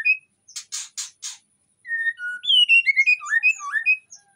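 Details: White-rumped shama in breeding condition in an Indonesian aviary, song meant to lure other shamas: a few harsh broadband rasping bursts, then sustained whistles and a fast jumble of slurred, rising and falling whistled phrases.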